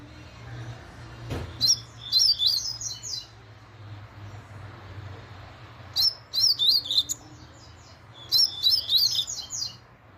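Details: Laranjeira song of a double-collared seedeater, sung very fast: three rapid runs of shrill, clipped, slurred notes, each about a second long, spaced several seconds apart, with a quiet hum and one soft thump.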